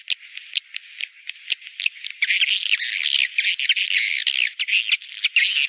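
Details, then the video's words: Rainy-season breeding lure call of edible-nest swiftlets: opens with sharp clicks and short thin high whistles roughly every half second, then breaks into loud, rapid, harsh twittering chatter for the rest. "SP Birahi Musim Hujan"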